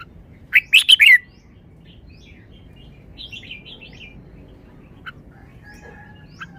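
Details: Red-whiskered bulbul in the wild-song style (pleng pa): an opening burst of three loud, bright, slurred notes, followed by soft twittering warbles and a few scattered chirps over a quiet background.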